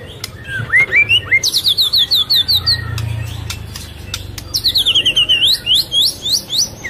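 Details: White-rumped shama in breeding condition, female calling to stimulate males while feeding its chick; rapid series of bright whistled notes, rising then descending, in two fast bursts with sharp clicks between.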